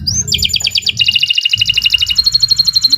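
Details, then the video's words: Canary (kenari) recorded as a master for training birds: a short upward whistle followed by continuous rapid, two-tone rattling trills. "Kicau Burung Kenari 106 II GACOR PANJANG"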